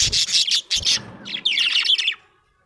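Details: A happy budgie's loud, harsh chatter: dense high scratchy squawks flow into a warbling run of twittering notes, then fade into quiet.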